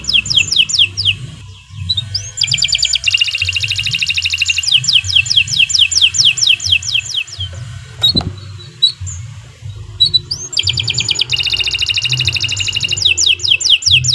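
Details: Canary singing long, fast, high-pitched trills for a masteran tutoring recording, rapid repeated notes broken by short pauses and upward-sweeping single notes, over a steady low rumbling background.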